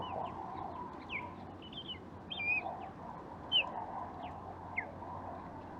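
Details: Wild osprey in Japan in January, calling near a busy road around its hunting area: a loose series of short, sharp whistled chirps and downslurred squeals, spaced irregularly, over a constant low rumble of traffic.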